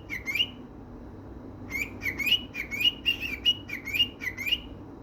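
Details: Cockatiel named Lemon, after seeing a melon, whistling a run of short rising notes, each sliding upward, repeated in a quick phrase.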